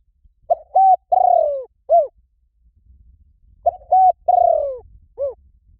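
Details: Two spotted dove phrases used to lure wild doves, about three seconds apart, each a soft lead-in, a level coo, a long hoarse descending coo and a clipped curved final note.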